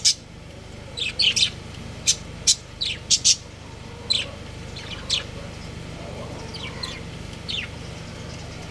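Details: Budgerigar breeding pair kept as pets, giving short sharp high chirps in scattered bursts, some doubled or tripled, several close together around the third second, over a steady low electrical hum.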